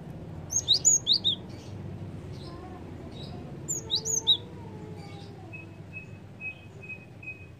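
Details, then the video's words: Java sparrow calls used to lure birds: two quick bursts of high, clipped chirps early on, then quieter, with a thin steady whistled tone repeating toward the end. "PANCINGAN BUNYI BURUNG GELATIK"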